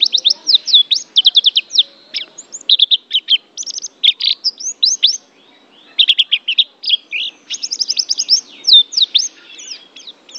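A white-eye sings a fast, high twittering stream of thin chirps and slurred notes, almost without pause, broken only by brief gaps.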